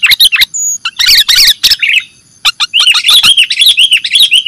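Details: Lure recording of sooty-headed bulbul (kutilang) calls for trapping birds: busy chattering chirps in tight clusters, one brief gap, then a steady stream of lively warbled notes.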